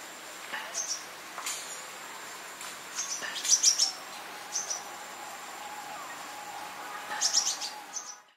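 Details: In Dhikuli, India, in November 2023, a crimson sunbird (Aethopyga siparaja seheriae) gives very high, thin chips and short twittering bursts at irregular intervals over a faint steady hum.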